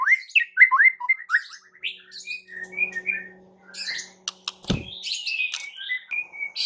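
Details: White-rumped shama song used to goad other shamas into singing: varied whistled phrases early on, then a low steady hum, a sharp knock and busy, buzzy high phrases to the end.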